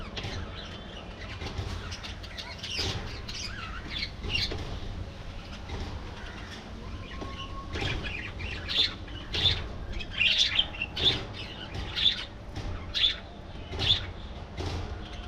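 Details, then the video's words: Budgerigars in a colony: soft twittering at first, then a run of loud sharp chirps and squawks repeated roughly every second near the end. "Budgie Life: Singing, Gossiping"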